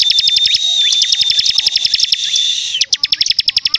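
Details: Bar-winged prinia delivering a continuous stream of fast, sharp repeated notes, several per second, over a sustained high whistle and buzz.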